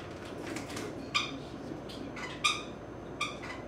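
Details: A 16-year-old pet grey-cheeked parakeet, enjoying a back scratch indoors, gives three short, harsh chirps about a second apart over a steady low indoor hum.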